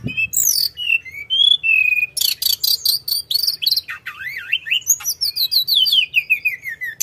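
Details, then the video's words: Continuous energetic song of a Sunda robin: flat whistles, dense buzzy bursts, wavering looping whistles, and a long descending run of quick repeated chirps, with a faint low hum throughout. "Kicauan Tledekan gunung full gacor ngeroll"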